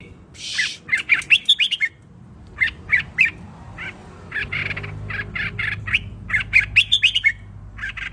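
Red-whiskered bulbul singing three bursts of bright, bubbly, slurred whistled notes, each burst a quick run of five or six phrases; a low hum runs underneath.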